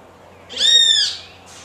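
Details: Great kiskadee calling to a companion of its own species with one loud, raspy, nasal note of about half a second, slightly arched in pitch and full of overtones; a faint hiss follows.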